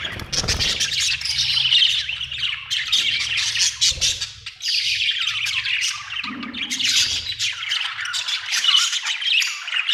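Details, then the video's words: Continuous budgerigar chatter: rapid buzzy warbling and squeaky chirps rising and falling in waves over ten seconds, with a brief low thump near the start. "Australian beautiful birds sound 😍 budgie chirping sound 🥰"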